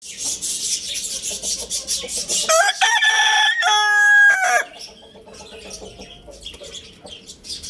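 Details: Lohmann Brown rooster at Lalukhet bird market crowing loudly: a two-second harmonic crow with a rising start, a steady middle and a falling end, set against a busy chorus of small birds chirping and twittering.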